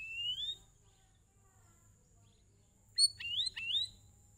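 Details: Sooty-headed bulbul singing to encourage other birds to sing: a soft rising whistle, a quiet gap, then a tumbling run of rising, slurred whistled notes over a faint steady high whine.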